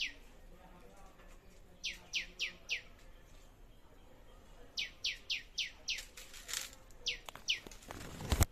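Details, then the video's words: Birds calling in a mini food forest: series of short falling chip notes in groups of three to five, separated by pauses, ending with a loud close rustle or knock. "Sounds of Birds in our Mini Food Forest"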